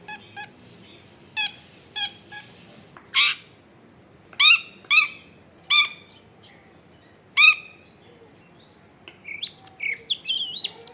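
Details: Long-tailed shrike song used as a lure to draw song from shrikes reluctant to sing, taped at home in a dense neighbourhood: harsh, spaced rasping calls about every second, ending in a run of quick varied whistles and chirps.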